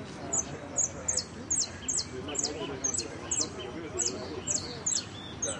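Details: During a singing competition in repique style, a jilguero repeats bright, high, falling notes about twice a second in a steady rhythm, with quiet voices beneath.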